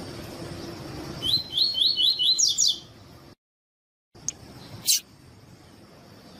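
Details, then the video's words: Double-collared seedeater giving the tui tui song used to train birds: a rapid set of rising whistled notes turning into jangly twitters, then a short silence and a few sharp clicks. "CANTO TUI TUI COLEIRO TUI TUI PERFEITO PARA ENCARTE DE COLEIRO TREINAMENTO CANTO DE COLEIRO TUI TUI"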